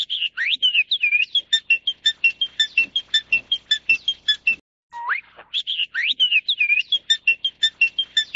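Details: Crested myna of the Taiwan endemic subspecies (Acridotheres cristatellus formosanus) gives a rapid run of clicking, chattering notes mixed with swooping whistles, pauses briefly, then repeats the same phrase.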